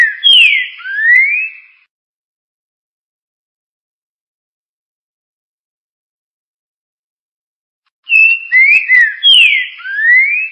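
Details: Green-winged saltator giving the 'Tio João Pedro Boi' classic song: a rich whistled phrase of a downslurred note and a rising whistle, several seconds of quiet, then a fuller repeat with clipped introductory notes before the same ending.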